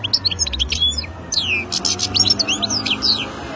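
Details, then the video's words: Wild European goldfinch delivering a dense, lively song of high twittering, trilled and slurred notes that flow almost without a break. "تغريد مقنين خلوي"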